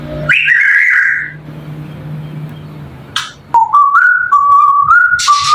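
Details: African grey parrot indoors giving clear whistled notes: a bright rising whistle near the start, a quiet pause, then a run of steady, slightly stepped tonal whistles over low background hum.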